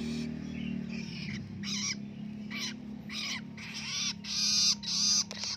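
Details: Independent young long-tailed shrike learning to sing in the ngelolo style, giving scratchy, rasping bursts that grow louder and closer together toward the end, over a steady low hum.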